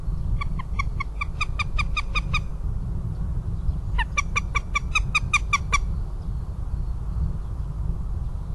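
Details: Northern goshawk in Riga on 3 March 2017 giving two rapid series of harsh, nasal kek notes, about a dozen then eight, over a steady low rumble of background noise.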